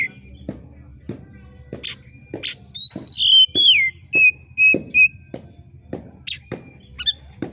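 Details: Sharp, screeching song of an oriental magpie-robin singing heavily, used to rouse rival birds at contests: steady dry ticking throughout, broken midway by a burst of bright down-slurred whistles and three even, repeated whistled notes.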